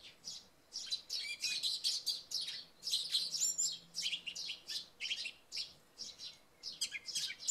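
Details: Song thrush singing in early morning after night rain: bright, loud phrases of high chirps and trills in bursts about every half second, with sparrows chirping alongside and a faint low hum beneath.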